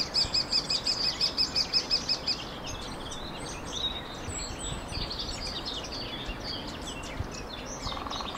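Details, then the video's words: Lesser spotted woodpecker recorded in the Ariège foothills, France, in April 2023: a rapid, evenly spaced run of about thirteen high, thin 'kee' notes over two seconds, followed by a chorus of other birds singing. "Pic épeichette - prise sonore"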